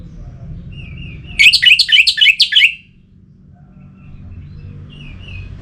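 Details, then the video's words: Orange-headed thrush song, played to stimulate other birds to sing: one quick burst of about eight rich, slurred whistled notes, each dropping in pitch, delivered in just over a second over a low background hum. "Suara Ini Bisa Membangkitkan Burung ANIS MERAH agar Jadi Gacor"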